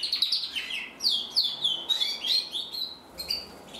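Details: Singing male canary of the red mosaic isabel colour, 2024, delivering quick whistled notes that swoop down and up, several sharp chirps per second, in a lively irregular phrase.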